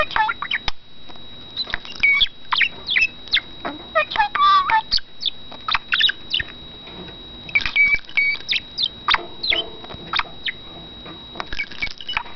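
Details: Male pet budgerigar that talks, whistles and mimics wild birds such as red-winged blackbirds, delivering a long, busy run of twittering chatter: rapid chirps, clicks and short whistled slurs with almost no pauses.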